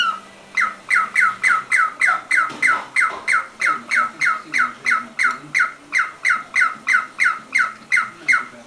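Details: Pet cockatiel giving a long, steady series of sharp, shrill calls, about three per second, each a quick downward-sweeping squawk. No other sound is clear.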